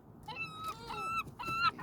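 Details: Gulls by the sea giving long, clear, mewing calls with a slight rise. Three drawn-out wails, each under half a second, come in quick succession over a faint background hiss.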